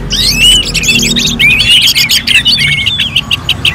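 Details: Orange-headed thrush in contest-simulation song: dense, energetic run of whistled slurs, chips and rolling notes delivered without pause, high and loud, over steady low background noise.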